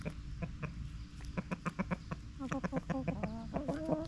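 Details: Backyard chickens clucking: a run of short, soft, low clucks at a quick, uneven pace, then several birds overlap in louder, rising, slightly nasal clucks, with a constant low hum behind.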